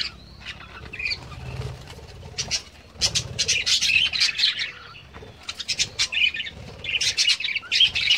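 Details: A flock of budgerigars kept on a home farm keeps up a dense, high-pitched chatter of rapid chirps and squawks, with wing flaps heard now and then.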